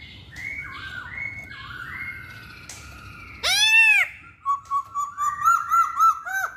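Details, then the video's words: Masked laughingthrush giving soft sliding whistles, then a loud, arched, ringing note, followed by a choppy run of rapid, bouncing whistled notes. "Kicauan Poksay Hongkong"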